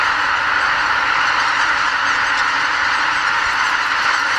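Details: Dense, continuous honking chorus of roughly 80,000 greater white-fronted geese leaving their roost before sunrise at Lake Miyajimanuma, a Ramsar wetland in Bibai, Hokkaido, during spring northbound migration; countless overlapping nasal calls merge into a steady roar.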